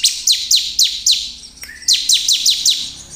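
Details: Bar-winged prinia singing loudly as a provoking lure for other prinias. Crisp, very high, downward-sweeping notes repeat in two quick bursts of about four to five, split by a brief gap holding a faint thin whistle.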